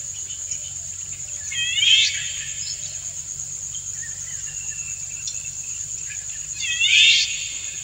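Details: Male Indian golden oriole courting a female that dances to his song: two rich bursts of curved, layered notes roughly five seconds apart, quiet brief phrases between them, and a continuous high-pitched insect drone behind.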